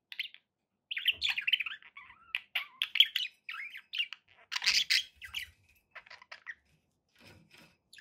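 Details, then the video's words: Budgies kept as pets chattering in a lively run of buzzy, squeaky chirps and a few short slurred whistles, the phrases fading toward the end. "budgie sounds"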